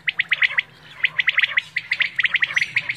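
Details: Quail call used for quail hunting in Pakistan: rapid series of short, sharp chirping notes, several per second in quick clusters, with a low steady hum beneath.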